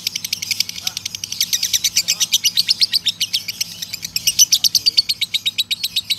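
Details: Male lovebird's extended ngekek trill, a training recording: continuous rapid, piercing high chatter, evenly pulsed for six seconds, with faint lower chirps and a low hum in the background.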